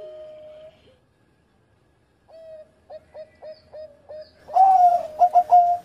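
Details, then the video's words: Former champion zebra dove in engkel style: a sustained coo, silence, then a steady string of short pulsed coos ending in a loud rolling phrase and three sharp final notes. "Mantan Juara Suara Engkel Sari Cengkok Irama Merdu"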